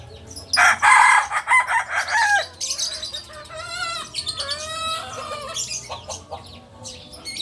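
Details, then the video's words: Kukuak Balenggek chicken crowing at a record-setting singing contest in Padang, a long multi-syllable crow with stepped, wavering notes over a noisy crowd of other birds and people. "Ayam kukuak balenggek"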